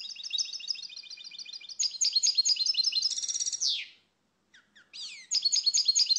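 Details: European goldfinch singing: rapid liquid twittering and tinkling trills, a buzzy rising phrase near the middle, a short pause, then the bright twitter resumes.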